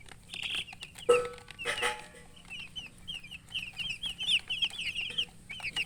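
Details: Baby chickens just out of the egg chirping, a steady chain of high rising and falling peeps from several chicks, broken by two loud knocks early on.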